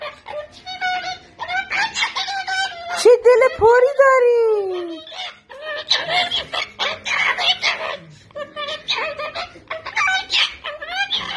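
A sulphur-crested cockatoo grumbles in a run of nasal squawks and speech-like chatter, broken midway by one long, drawn-out wail that slides downward.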